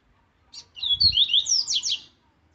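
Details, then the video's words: Rusty-collared seedeater, an aggressive strong song used for training captive birds: a brief phrase of clear whistled notes sliding between pitches, ending in fast high descending trilled strokes, over faint low rumble. "Canto Forte Para Encarte e Manejo!!! 1 Hora de Canto do Coleiro Laranjeira Agressivo!"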